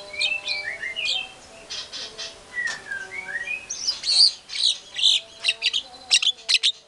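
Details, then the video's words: Lure song of a white-rumped shama in full voice: clear descending whistled notes, then a run of loud, harsh, buzzy chirps repeated in quick bursts, with a low steady hum behind. "PANCINGAN MURAI BATU GACOR BONGKAR MATERI SEREM, SEKALI DENGAR MURAI NYAUT LANGSUNG EMOSI"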